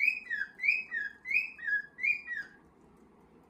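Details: Indoor pet cockatiels as a young male tries to take part in the flock's marching; five clear whistled notes, each swooping up and falling away, then near silence.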